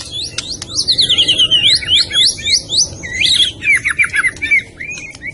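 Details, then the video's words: White-rumped shama (murai batu) of the Medan type singing a rapid, varied run of high whistled and slurred notes, some sweeping downward, strung together with short pauses, over a low hum. "kicau burung murai batu medan"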